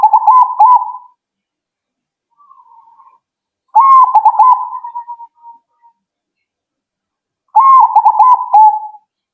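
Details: Zebra dove, responding promptly. Three rolling coo phrases about every four seconds, each a burst of quick, bubbling, slightly falling notes. A faint soft trill sits between the first two.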